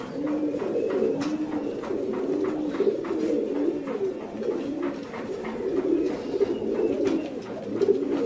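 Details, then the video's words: Fancy pigeons giving a continuous, overlapping chorus of low, throaty cooing that swells and dips throughout, apparently from several birds at once, with scattered sharp clicks and taps over a steady background murmur. "Pigeons Sound"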